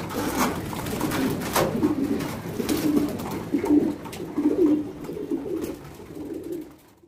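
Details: Domestic fancy pigeons breeding in a cage on a pigeon farm in India: deep rolling coos repeated roughly once a second, with sharp knocking clicks early on, fading at the end.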